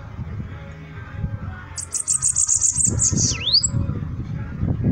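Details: Bananaquit song: a fast, high-pitched buzzy series of evenly repeated notes slides into a sharp dipping whistle, over steady low background rumble and noise.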